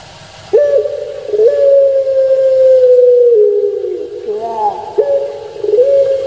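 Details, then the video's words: Domestic puter pelung dove from Java, Indonesia, sounds a sharp onset and then a long droning coo of nearly three seconds that sinks at its end, followed by a wobbling note and another coo. "Suara Merdu Menggema //Puter Pelung"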